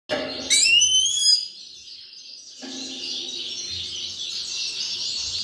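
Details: Grey-crowned goldfinch singing: a short run of bright, high whistled notes that slide upward and descend in quick steps, followed by a steady hiss-like high background.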